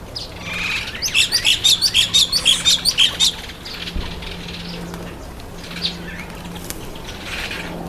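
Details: Grey-headed sparrow taking a bath, feeding on seeds and insects on the ground; a quick series of about ten bright, high chirps over two seconds, then scattered faint chirps and wing flutters amid splashing and a low steady hum.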